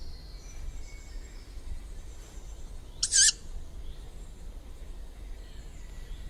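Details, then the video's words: Juvenile tawny owl call, heard March to May in woods, parks and gardens: a single harsh, wheezy screech lasting about half a second, over faint high thin calls from other birds and a low background rumble. "Tutorial per identificare il canto di un allocco giovane - Juvenile Tawny Owl call"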